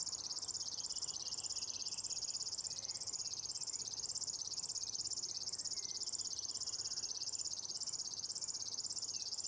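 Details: River warbler singing in a lupin meadow at Nolby on 23 June 2021: a continuous, dry, insect-like buzzing of very rapid pulses, high and steady, swelling slightly in waves throughout, with faint other bird notes behind.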